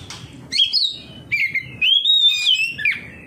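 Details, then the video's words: Oriental magpie-robin in song reacting to another of its kind: a sharp upward whistle, a falling slur, then a long sustained high whistle that dips at the end. "KACER NGEPLONG KACER LAIN LANGSUNG RESPON NGEPLONG BONGKAR ISIAN"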